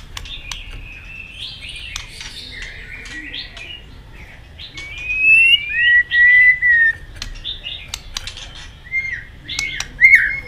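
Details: White-rumped shama in competitive singing: fainter whistled phrases over a steady background hiss, with a few clearer level whistles and scattered clicks.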